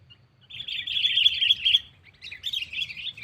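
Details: Sooty-headed bulbul lure call used to call a rival in trapless catching: a sustained, buzzy chattering phrase followed by a brighter broken twitter, over a low murmur.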